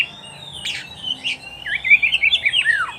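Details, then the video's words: Oriental magpie-robin singing, from a recording used to tutor pet birds: a few scratchy notes, then a fast rolling trill of looping whistled notes ending in a downward slur. "SUARA KICAUAN BURUNG KACER TERBAIK, PART 94 - MASTERAN KACER - KACER GACOR - PANCINGAN KACER"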